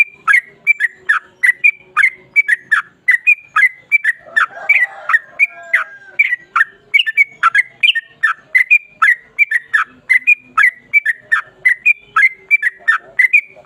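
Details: Yellow-vented bulbul keeps up a long ropel panjang roll: a near-continuous flow of bubbly whistled notes, rising and falling, a few each second, with a brief rougher, lower scrap of sound partway through.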